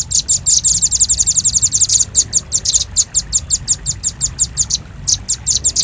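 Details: Velvet-fronted nuthatch (rambatan paruh merah) lure recording for attracting birds: rapid, sharp, very high chips in fast trilled bursts, several notes per second, with brief pauses between runs.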